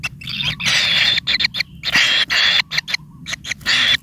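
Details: Greedy kingfisher nestlings with newly sprouting pin feathers beg at the nest: long, loud, hissing rasps in uneven bursts, broken by short silent gaps, with a brief soft trill in between.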